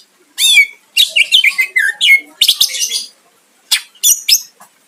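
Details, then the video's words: Greater green leafbird in energetic song meant to provoke a rival, a lively run of sharp whistled notes, downward-sweeping slurs and buzzy chatter, with short pauses between bursts. "Cucak ijo gacor mancing lawan dijamin Nyahut"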